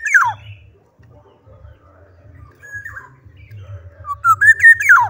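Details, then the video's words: Black-naped oriole in vigorous song: a falling whistled slur, a few quiet notes, then a loud liquid phrase of rising, warbled whistles that drops at the end; a low hum throughout. "kepodang gacor"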